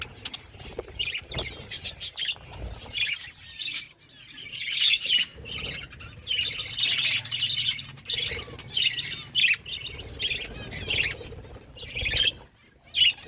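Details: Budgerigars chattering as they eat, producing dense high warbling chirps in overlapping waves, with short squawky notes and brief pauses between bursts.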